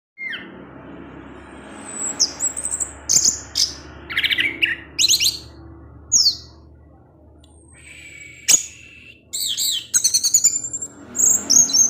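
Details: Kept orange-headed thrush singing in the 'ngecip ngecis teler' style: bursts of high, sharp chirps and short whistled slides, separated by brief pauses, with steady low background hum.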